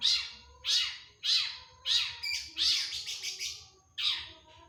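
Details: Long-tailed shrike singing actively in the 'tembakan' style: strong, screechy downslurred notes repeated about every half second, broken by a fast, stuttering rattle before a final rasp.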